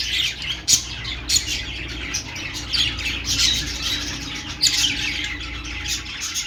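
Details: Budgies keep up a busy high chatter of chirps and warbles, broken by sharp clicking ticks every second or so, over a faint low hum.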